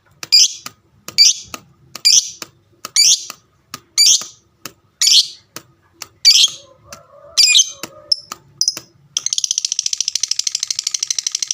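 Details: Caged fighter lovebird giving repeated harsh chirping notes about twice a second, then a long fast buzzing trill near the end, meant to provoke other lovebirds to answer; faint clicks between notes.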